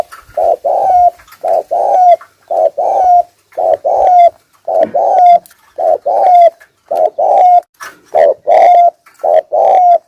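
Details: Wild spotted dove's urging coo played as a lure: a steady series of mellow low coo phrases, paired notes with a slightly sliding final note, repeated about once a second.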